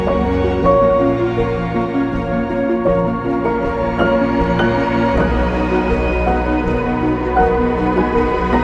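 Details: Gentle new-age background music with mallet-like notes and sustained tones plays throughout, and no animal sounds.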